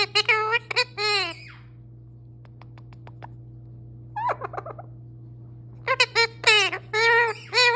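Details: Talking male pet parrot: bursts of loud, harmonic speech-like syllables, some sliding downward, a brief stuttered murmur mid-way, and a final run of clipped wavering words, over a constant low hum.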